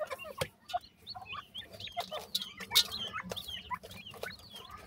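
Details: Chicks of the grey francolin peep repeatedly, with quick, high chirps tumbling over one another, punctuated by sharp clicks and knocks.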